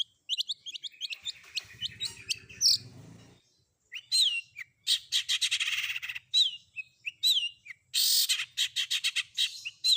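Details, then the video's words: Long-tailed shrike combination fill-in song for training: a dense, varied medley of sharp chirps, buzzy rattles and slurred whistles, with a brief low rumbling noise early on. "Cendet Manapun Bakalan Langsung Nyaut Dengar Suara Isian Kombinasi Cendet Cendet ini"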